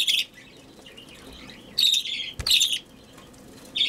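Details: A budgerigar chick fed by hand gives short grating, buzzy begging rasps in three main bursts with pauses between, plus a faint click.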